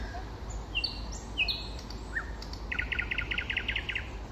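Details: Common nightingale singing in spring, opening with high descending whistles and a single rising note, then a fast, evenly repeated rattle of doubled notes lasting over a second, above a low constant rumble.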